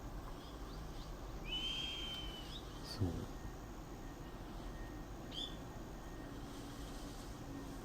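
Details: A crested serpent eagle on Ishigaki Island, Okinawa, Japan, gives a single high, drawn-out whistle with a brief upslur, then a short faint note later, over low rumbling background noise and a soft knock.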